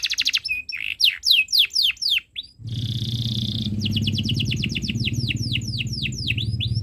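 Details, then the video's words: Canary song recorded to teach young birds: quick falling chirps and whistles, a short buzzy rattle, then long runs of repeated sweeping notes over a steady low mechanical hum. "Suara Burung Kenari ● Masteran Kenari Paud Belajar Bunyi | Kenari Gacor Cuit Cuit Panjang"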